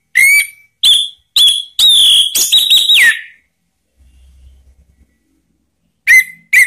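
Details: Orange-headed thrush calling to prompt other birds to sing freely: loud, clear whistled phrases around mid-high pitch, some rising and some sliding down, given in a burst of about three seconds, then a pause before new whistles resume.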